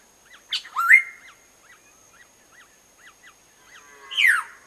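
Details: Black-naped oriole while feeding its chicks. A loud call rises and flattens into a steady drawn-out tone. A series of faint, short up-and-down chirps follows, and a harsh, rasping downward squawk ends the sequence.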